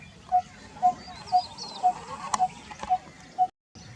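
Coppersmith barbet giving seven hollow, metallic 'tuk' notes at a steady two per second, with faint chirps of other birds in the background.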